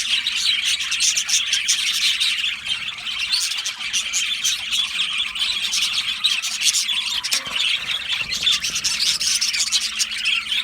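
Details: Crowd of Australian budgerigars in an aviary keeping up steady high chatter, overlapping squeaks and warbles throughout, with a low hum in the background.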